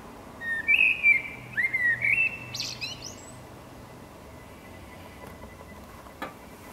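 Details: Eurasian blackbird singing, filmed with a 600mm lens: a few clear whistled phrases sliding around the middle register, followed by a brief higher twittering flourish, then quiet background for the remaining seconds.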